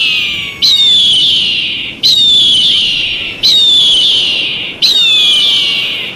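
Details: Eagle calling in four long, high, drawn-out screams about every one and a half seconds, each starting sharply and gliding gently down, with a fainter lower falling tone at the start.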